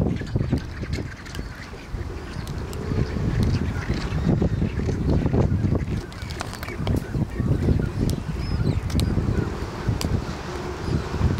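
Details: Courting Black-browed albatrosses, Saunders Island in the Falklands, 2019: rapid low, rasping pulses and honks, fairly irregular, over steady wind-like noise.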